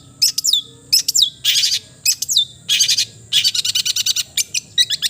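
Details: Melodious cendet (long-tailed shrike) song mixing scratchy harsh bursts, sweeping high whistles and a rapid run of clipped repeated notes, loud and close against a low background hum.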